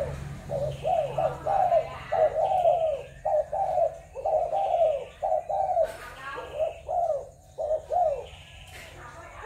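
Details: Spotted doves of Malaysian, Thai and Cambodian stock, recorded on 21 November 2022; soft, mid-pitched cooing phrases follow one another in quick succession, each coo slightly arched and falling, with faint chirps and a few sharp clicks.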